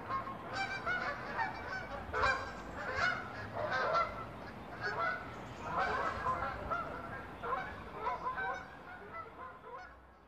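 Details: Dozens of Canada geese fly over a house as the sky darkens each night, returning to a nearby lake after a day of grazing; irregular honks, several overlapping, rise and fall over a steady background hiss.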